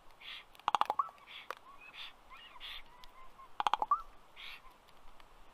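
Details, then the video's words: Common raven landed on a black stork nest tree, Karula National Park, southern Estonia, 27 May 2023 at 4:33 pm, nest camera; two bursts of rapid, sharp clicks a few seconds apart, between softer short tonal notes. "A raven makes extremely interesting clicking noises"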